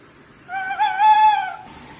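A single drawn-out owl hoot, clear and tonal, lasting about a second with a slight waver and gentle rise before fading. The background is quiet.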